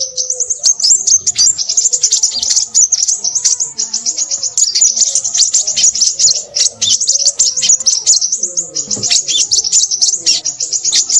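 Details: Crimson sunbird in restless, noisy song, an unbroken run of sharp high-pitched chirps and trills over about eleven seconds, with faint lower warbling notes in the background.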